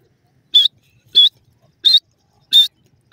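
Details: Francolin chicks: loud, thin, high-pitched peeps repeated about every two-thirds of a second over quiet background.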